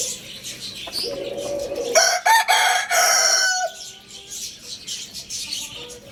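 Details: Rooster, tagged as a Lohmann Brown, crowing loudly at Lalukhet bird market in Pakistan: one harsh, harmonic crow of about two seconds, broken into segments and ending abruptly, with busy high chirping from many small market birds throughout.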